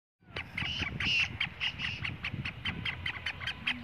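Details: Black francolin (kala teetar) calling: a rhythmic run of harsh, grating, clicky notes, some drawn into short buzzy bursts, repeated rapidly over low background rumble.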